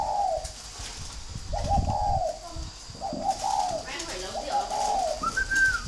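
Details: Captive spotted dove at a breeding farm in Ba Vì, Hanoi, northern Vietnam, uttering drawn-out, husky coo phrases of several blended notes. A brief higher, clearer note is heard near the end, and soft voices sound in the background.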